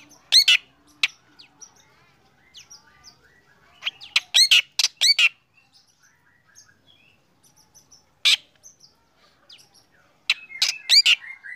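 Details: Black drongo singing in the morning, with loud bursts of harsh, crackling notes separated by quiet gaps and faint soft chirps, ending in a denser flurry of rasps.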